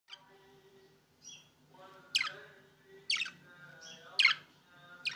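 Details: Budgerigar, opaline green or opaline blue, giving harsh, scratchy chirps about once a second, with a couple of brief high whistles and a soft warbling or faint music underneath.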